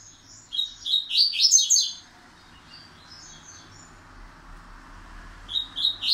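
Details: Double-collared seedeater singing its pancadão-style song, which is slowly becoming fixed. A rapid burst of high, sharp chirped notes lasts about a second and a half, followed by a quiet pause with faint background hiss, then a new phrase begins.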